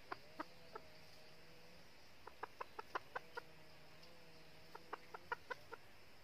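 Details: Red-eared decoy hen red junglefowl from northern Vietnam, used to lure wild males into a trap, giving soft, short clucks in loose clusters, some quick doubled notes, with quiet gaps between bursts and low steady background hum.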